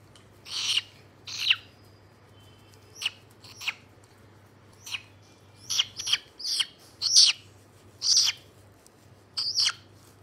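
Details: White-bellied caique giving loud, harsh high-pitched shrieks and squawks in uneven bursts, often in pairs, with short pauses between; low steady hum underneath.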